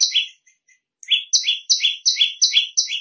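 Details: A small, young Olive-backed Tailorbird gives a shrill, fast song of paired high notes, each dropping from a piercing whistle to a lower one, repeated about three times a second.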